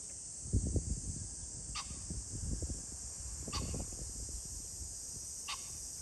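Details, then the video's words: Pheasant calling on 21 July 2024: three short, harsh, broadband bursts about two seconds apart, distant and fairly faint over steady low rumbling background noise. "pheasant call ,キジ ,꿩"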